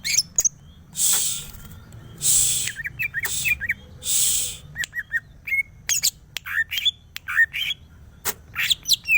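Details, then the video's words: Greater green leafbird, a caged cucak ijo geger geden, singing a varied run of short whistled and chirped notes, some sharply rising or slurred, delivered in quick bursts between several loud broadband rustling or fluttering noises. "burung cucak ijo geger geden bird Chloropsis sonnerati"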